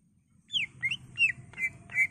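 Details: Singing greater green leafbird, recorded as a training master: five loud whistled notes, the first falling, later ones rising or level, each about a third of a second apart.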